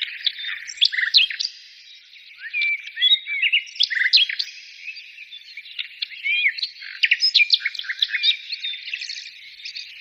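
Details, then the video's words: A long stretch of mixed birdsong, with bursts of sharp chirps and rising and falling whistles coming in waves separated by quieter twittering passages. "birds singing"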